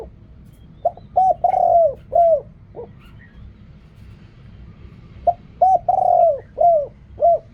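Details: Spotted dove coo phrase given twice in the 'riak kham, khu kham, ok rong' style. Each phrase has short coos, a long drawn falling coo, then two or three brief coos.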